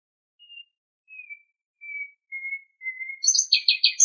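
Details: Common nightingale singing in Greek nature: a slow series of five pure, drawn-out whistles, each slightly lower and louder, building into a rapid, loud, rattling trill of sharp repeated notes at the end.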